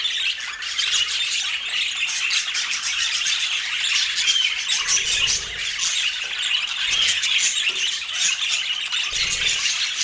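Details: Rainbow pet budgies eating apple produce an unbroken, busy stream of high squeaky chirps and buzzy warbles, with occasional short clear whistled notes.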